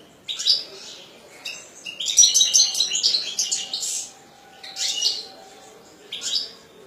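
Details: Lively song of a kept European goldfinch: a continuous run of rapid, sparkling high twitters and buzzy trills, then shorter chirpy phrases repeated after brief gaps.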